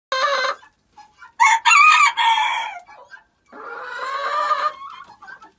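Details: Domestic chickens in their pen calling noisily during feeding and pen cleaning, after leaves were put in. Loud bursts of clucks and drawn-out squawking calls come in separate phrases with short quiet gaps.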